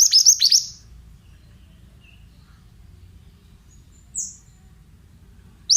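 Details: Male pied bushchat song of the 'bahan' type, played as therapy to prompt birds to answer: a quick run of high, bright chirps, then near silence with one faint distant note.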